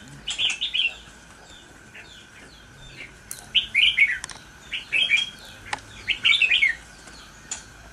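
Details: A caged, wild-origin red-whiskered bulbul from Kim Bôi, Hòa Bình, Vietnam, kept about 13–14 days, sings four short bursts of bright, liquid warbled notes a second or so apart, over a steady faint electrical hum.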